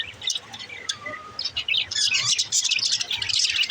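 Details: Budgerigar song: dense, rapid chattering warble of high chirps and twitters, with calls overlapping and growing busier toward the end, over faint low rumble.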